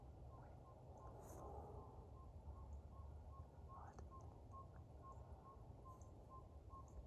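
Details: A Northern Saw-whet Owl at Buffalo Audubon Beaver Meadow Nature Preserve gives its steady, mid-pitched tooting song, about three even notes per second, over a constant low rumble.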